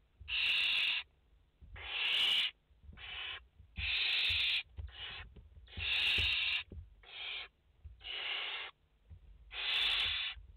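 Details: Barn owl chicks, five in the nest, on a live nest camera, 29 August 2021: harsh, breathy hissing screeches in bursts of about half a second to a second, nine in ten seconds at uneven gaps, some louder than others.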